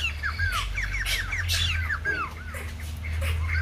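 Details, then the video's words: White-crested laughingthrush, young bird in voice training, giving a string of arched, slurred whistled notes at a fast irregular pace, with bursts of harsh noise and steady low hum. "Khướu Đầu Bạc / Chim Bồ Chao / Ép Giọng Chim Non"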